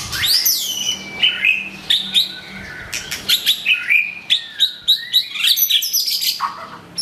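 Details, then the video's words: White-rumped shama, a curved-tail bird, pouring out a rich song to call out a rival: fast varied whistles, sweeping slurs and sharp chips tumbling one after another with hardly a pause, high and bright throughout. "Murai batu ekor lengkung muntah materi panggil lawan"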